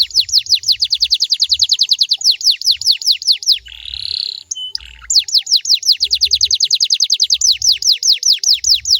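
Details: Domestic canary song used to get caged canaries singing back: a long, loud, rapid trill of downslurred notes, a brief buzzy break, then the fast trill resumes at the same pace.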